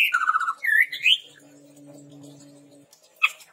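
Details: Chestnut-rumped babbler in a recording meant as a lure for training: a fast trill of notes and rising whistled slurs, then a steady low mechanical hum and one final sharp note.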